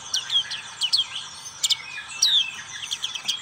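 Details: Black-capped white-eye song of thin, high downslurred whistles and sharp chips in small clusters, spaced irregularly over a few seconds.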